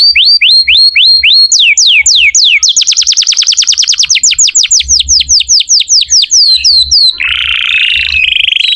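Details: Energetic canary song used to prompt young or silent canaries to sing: sweeping upward whistles repeated in series, then a fast rapid trill of downslurred notes, ending in a buzzy, rattling roll.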